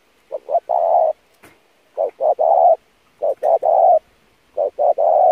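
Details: Spotted dove used as a lure to train decoy birds, cooing insistently: four three-part phrases, each two short coos and a long, full, rolling coo, repeated about every 1.3 seconds with clean silence between.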